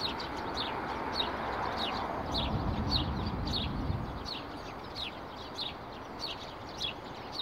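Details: Sparrows calling from street shrubs on Akademika Zelinskogo street on 12 April 2019, a steady run of crisp, high, down-slurred chirps, several per second at times, over distant traffic rumble.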